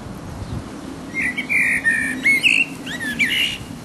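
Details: Mating song of a resident blackbird in full voice: mellow whistled phrases rising and falling, several notes in a row, ending with a scratchy twitter, over a steady low hum.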